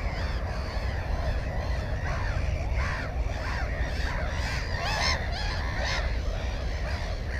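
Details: At a black-headed gull nest containing an egg and a chick, recorded by GoPro 4 on 15 May 2016, harsh squealing calls repeat irregularly, loudest around five to six seconds, against steady low-pitched noise.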